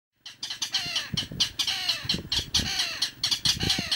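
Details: A Mangrove rail (Rallus longirostris) at Icapuí, Ceará, Brazil, gives a harsh, dry clattering series of grating notes, about two each second and unevenly spaced, with no other sounds.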